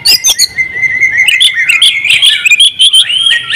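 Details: Champion oriental magpie-robin singing with an open beak in the vigorous ngobra style, full of mimicked phrases: dense, rapid run of bright chirps, trills and whistled slurs, with sharp clicks at the start.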